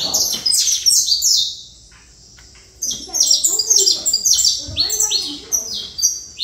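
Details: Saffron finch delivering quick series of sharp, high descending notes; one phrase, then a silent gap of about a second, then a longer, busier run of chirps.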